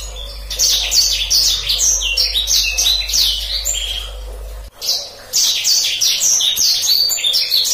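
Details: Black-throated canary 'gacor ngeroll' master song for canaries: rapid, high, rolling chirps about three per second, breaking off briefly near the middle before the bright twittering resumes.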